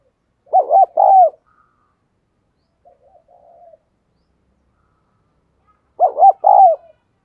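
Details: Spotted dove decoy recording meant to lure and excite males: two loud, clean coo phrases about five seconds apart, each a quick run of three rolling low notes ending in a longer drawn-out coo, with faint soft cooing between.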